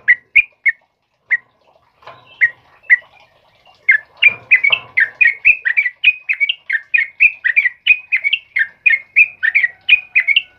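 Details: Sooty-headed bulbul in the morning: a few scattered whistled chirps and soft rustling, then the bird breaks into a rapid sustained series of bright, looping notes, about three per second.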